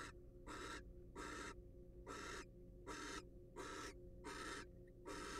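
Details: Barn owl, wild, inside a nest box watched for scientific study: rhythmic, noisy screeching hisses, around seven short bursts with brief gaps, backed by a faint steady drone.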